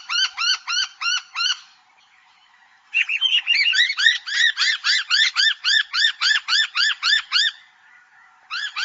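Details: Noisy miner, a native Australian honeyeater, gives loud arched calls repeated about three to four times a second in fast runs. After a short pause, a denser run follows in which several overlapping voices seem to join, and the run stops abruptly.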